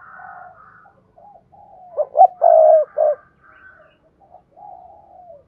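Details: Spotted dove cooing, used to stimulate other doves to call: soft low coos, then one loud phrase of a short note, a quick double note, a long sustained coo and a final short note, with fainter coos trailing after.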